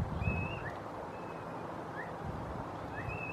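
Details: A male Phainopepla on Los Alamos Road, hearing no reply, gives increasingly insistent soft, rising whistled calls about once a second, faint over a heavy low rumble of wind and distant traffic.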